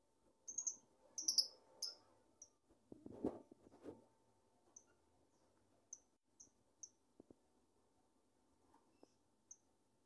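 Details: A family's cherished lovebird gives short, shrill, very high chirps, a quick cluster early on, then single sharp notes spaced about a second apart, with soft room rustling and a faint steady hum.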